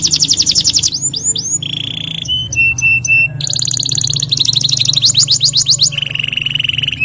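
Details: Energetic 'ngerol nembak' canary song: quick trills, pure level whistles repeated in short bursts, rolling rapid phrases and sweeping notes changing every second or so, over a steady low hum.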